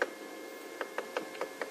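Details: A woodpecker on a morning safari drive taps at bark with sharp, dry knocks, six in under two seconds at an uneven pace, trying to open the bark to reach wood-boring grubs or beetle larvae; faint background hiss.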